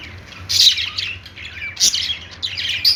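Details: Pet budgerigars, Australian parrots, giving happy calls: three loud bursts of harsh squawking mixed with softer buzzy chatter between them.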